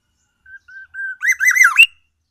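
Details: Black-naped oriole from Aceh, Sumatra, in full song imitating oriental magpie-robin: three short level whistles, then a burst of rich, wavering, harsh notes ending in a rising squeal.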